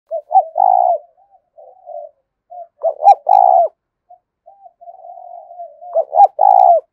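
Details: Spotted dove song used as a decoy recording to lure and provoke wild doves into fighting; loud low cooing phrases of two quick notes then a long rolling coo, repeated every few seconds, with softer coos between.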